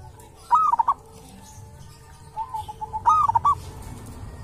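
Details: Local wild zebra dove recorded at a sacred tomb, known for its distinctive voice: two bursts of quick cooing notes with quieter soft coos in between, against steady low background noise.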